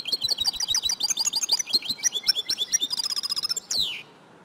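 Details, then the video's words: Female European goldfinch twitter used to encourage males to sing: rapid high chirping notes for nearly four seconds, ending in a dense buzzy flourish and a sweeping downward note. "DİŞİ SAKA KUŞU SESİ İLE HUYLANDIRMA - صوت طائر الحسون الإناث"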